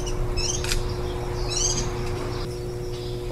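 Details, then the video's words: Warbling white-eye at the nest in July 2018, feeding ten-day-old chicks one day before fledging. Two bursts of high chirping, one near the start and a louder one midway, over a steady electrical hum. "綠繡眼-青笛仔 育雛 錄音"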